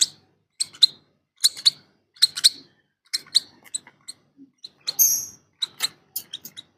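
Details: Hungry lovebird chicks give rapid, high, raspy chirps in uneven bursts about every half second, with a harsher squeal near the end.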